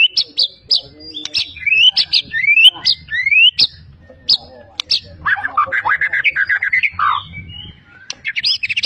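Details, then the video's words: Caged white-rumped shama from Medan, a champion competition bird singing a loud varied song full of mimicry of other bird species: rapid whistled phrases, rising sweeps and buzzy trills, dense and energetic, with faint low background noise. "murai juara full isian gacor ngotot"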